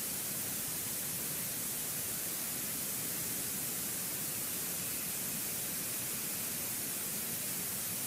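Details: Only constant hissing static fills the recording from start to finish.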